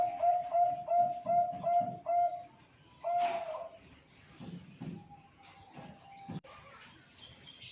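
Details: Zebra dove with a big, loud voice from a breeding farm in Malang, Indonesia: five mellow, even coos in steady rhythm, then a single coo, followed by a quieter stretch with a faint steady tone and background noise.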